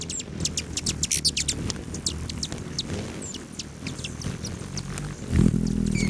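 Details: Hummingbirds at patio feeders outside a lodge near the southern boundary of Great Sand Dunes National Park, Colorado, on a July 29 morning at 9:14. Rapid, very high, thin chips and squeaks repeat throughout, ending with a low rumbling noise.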